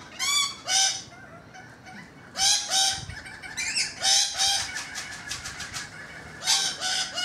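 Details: Loud, raucous screeches and rattling chatter from rainbow lorikeets perched on a balcony, harsh calls coming in uneven bursts roughly every second.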